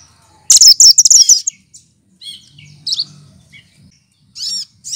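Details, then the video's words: Cucak kinoy, a melodious mimic of other birds, opens with a fast rattle of high chirps, followed by quieter ringing notes and two arched whistled calls, with a faint low background hum. "Burung Cucak Kinoy!!!Masteran Pintar Menirukan Suara Burung lain"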